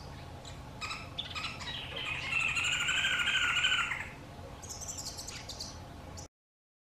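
Green wood hoopoe giving a harsh, rapid cackling chatter, rising to a loud, laughter-like burst of repeated notes before fading.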